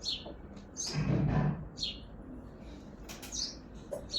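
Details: Sparrow on a balcony in Hazaribagh, India, uttering quick high chirps between loud low rumbling noise, with more chirps trailing off at the end.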